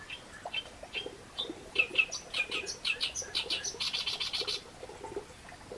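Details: Reed warbler singing harsh, chattering phrases of repeated grating notes, rising to a dense rapid burst near the end.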